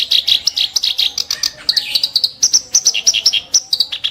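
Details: Reed warbler, known locally as kerak basi, delivering sharp, harsh 'tembakan' bursts: rapid, scratchy high chattering notes repeated several times a second, with one short downward slur near the middle.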